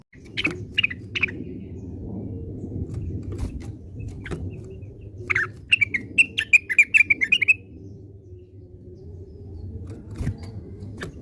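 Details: Orange-spotted bulbul, known locally as cucak wilis, giving its classic song: short chirps, then a quick run of bright, slurred notes near seven seconds, with sharp clicks and a steady low hum behind.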